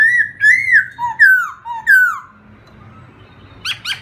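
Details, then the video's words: Whistled song of a black-throated laughingthrush: a string of slurred, falling notes about twice a second, alternating higher and lower, fading into a thin drawn-out tone, then a short burst of sharper high notes. "chim khướu mun hót hay"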